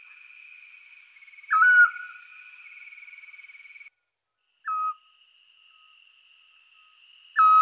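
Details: Eurasian scops owl recorded as light fades on 5 April 2019 in the Scrivia valley, Piedmont, Italy: three short hypnotic whistled 'chiù' notes spaced about three seconds apart, with high insect hiss that briefly cuts out.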